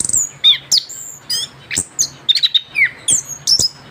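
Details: Orange-headed thrush, young bird just out of moult, giving scattered high whistles, downslurred notes and short trilled chirps.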